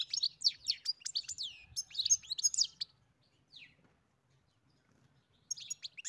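A European goldfinch sings a fast, tinkling jumble of high liquid twitters and buzzy trills, pausing midway before resuming briefly.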